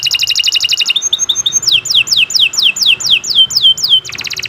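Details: Kenari Nusantara canary, kept bird, long masteran song for training other birds: fast trilled bursts, then a run of about ten sweeping whistles falling from high to mid pitch, ending in a rapid buzzy trill.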